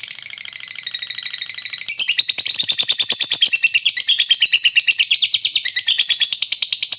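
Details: Long ngekek trilling of a lovebird, used to stir up other lovebirds: a continuous, dense, high rattling trill of very fast repeated notes. It grows louder and harsher midway and keeps going without a break.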